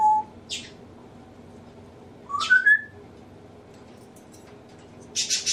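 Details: Pet male African grey parrot indoors mimicking household sneezes, laughter, burping and nose blowing: short whistled notes, one sliding upward, broken by brief hissing, sneeze-like bursts, with a quiet room background.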